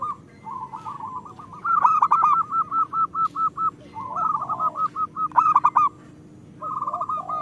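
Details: Zebra dove, local type, singing to lure quiet zebra doves into song: evenly spaced cooing notes repeated in a long rhythmic series, broken by louder accented bursts and a short pause.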